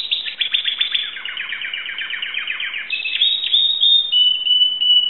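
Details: Timbrado canary, Greece, 2009, rattling off a fast even train of sharp clicks and trilled pulses, then drawing out a smooth high whistle.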